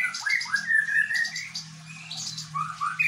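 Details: White-rumped shama singing in a style imitating the bar-winged prinia: a run of clear, slurred whistles rising and falling in quick succession, with a steady low hum underneath.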